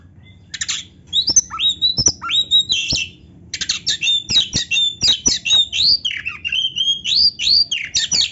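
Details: Kacer (Oriental magpie-robin) in vigorous song rich in filler phrases, a training recording for slow-singing birds: rapid sequences of short sharp chirps and upward-flicking whistles, delivered in quick bursts after a brief pause.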